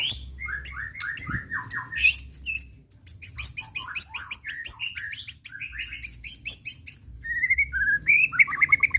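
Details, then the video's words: White-rumped shama in an emotional, provoking song that unloads its repertoire: dense fast series of high ringing notes layered over lower slurred whistles, continuous and varied throughout. "Pancingan Murai Pastol Emosi & Bongkar Isian"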